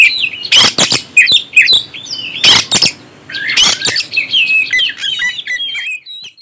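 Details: Energetic oriental magpie-robin song meant to excite other birds: scratchy bursts and clear whistled notes tumbling together, then a softer run of high twittering phrases fading out at the end.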